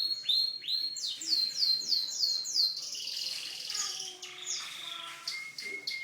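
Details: Canary song opening with several upward-swept whistled notes repeated about twice a second, then a buzzy high trill and a run of lower, drawn-out whistles.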